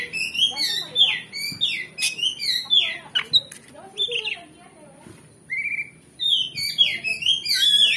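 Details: Oriental magpie-robin song meant to stir another magpie-robin's fighting spirit so it answers: long runs of bright whistled and warbled phrases, sharp chips and descending slurs, a pause near the middle, then a fresh burst.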